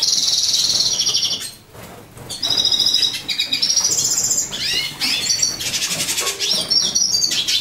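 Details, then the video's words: Lilac-breasted roller, captive breeding pair living free in a living room, nesting in a box built into a bookcase, two chicks hatched September 2013; high, rapid chirping and trilled notes in dense repeated bursts, with thin rising whistles and indoor background noise. "Villásfarkú szalakóta / Coracius caudata / Lilac-breasted roller"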